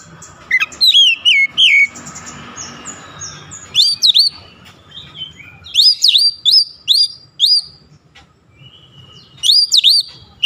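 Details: Oriental magpie-robin song aimed at getting lazy birds singing: repeated bright, high whistled phrases in bursts, each note sweeping up and down, with short quiet breaks between groups.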